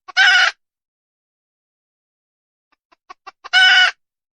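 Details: Hen red junglefowl: a loud harsh squawk opens, followed by a long silence, then faint clucks growing louder and leading into a second raspy burst.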